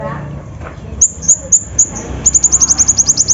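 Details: Olive-backed sunbird song used as a lure to get reluctant birds singing. It opens on a second of low murmur, then very high, thin chipping notes in short bursts that speed into a fast, even rattling series.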